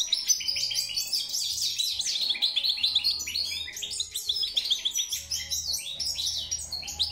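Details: European goldfinch in sustained song: long bursts of lively, jangling twitters and buzzy slurred notes, with short breaks every couple of seconds and a quiet low humming background.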